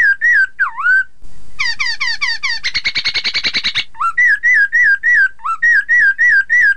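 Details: Song of a Chinese hwamei meant to make rivals sing along: swooping whistles, a rapid run of bright notes, a buzzy rattling stretch, then regular looping whistled phrases repeated about three times a second.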